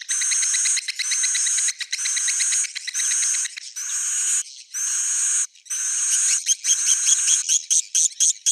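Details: Swiftlets giving a roosting call (suara inap) meant to attract them. Buzzy, high chattering with rapid pulsed ticks comes in bursts about a second long, then turns into choppy, broken twitters near the end.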